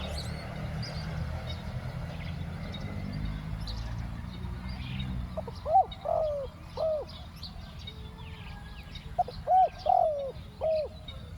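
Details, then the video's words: Spotted dove calling while luring wild doves, two-word 'ku-ang' style. After several seconds of low rumbling background, soft hollow coo phrases of short notes and a drawn-out falling note arrive in two bursts. "ต่อนกเจาใหญ่ เจ้าวุ่นวายเก็บเชลย คูอ่าง 2 คำ"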